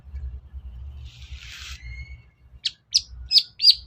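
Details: Long-tailed shrike lure song, played to provoke a reluctant cendet into singing: a buzzy, scratchy burst with a thin rising whistle, then four sharp, loud chips in quick succession near the end.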